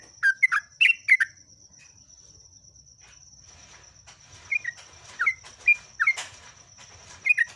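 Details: Yellow-vented bulbul, locally trucuk or jogjog, giving scattered bubbly slurred whistles: a quick phrase at the start, then a quieter gap with faint rustling, and more spaced notes later, with a constant thin high hiss behind.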